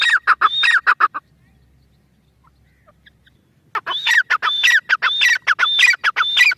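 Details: Grey francolin giving loud, grating, rhythmic calls. A burst of rapid repeated notes is followed by a pause of about two and a half seconds, then the harsh series resumes with rising syllables.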